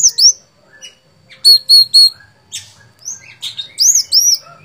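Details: Sooty-headed bulbul singing in a lively, chattering manner: sharp high whistled chirps, some slurred upward and down, given in short bursts with brief pauses between them.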